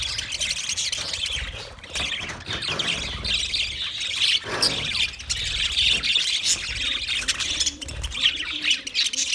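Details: Several budgerigars chattering at once, a continuous wash of high scratchy chirps and warbles with sharper squawks rising out of it every second or so, with occasional dull thumps in the background.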